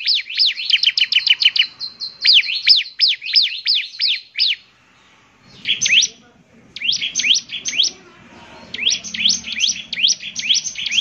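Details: Bar-winged prinia singing energetically, with long runs of fast, high, sliding chirps in several phrases. Short silent breaks separate the phrases.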